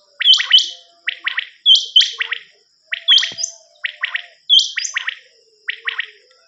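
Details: Common quail cassette recording used for hunting: high paired chirps, each followed by fast triple notes, repeated in regular bursts about once a second, loud and clear over a steady faint hiss.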